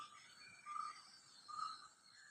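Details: At 6 a.m. in a village, Kottenkudy in Pathanamthitta district, Kerala, India, a bird gives two short, clear whistled notes about a second apart, over a steady high hiss of distant insects or birds.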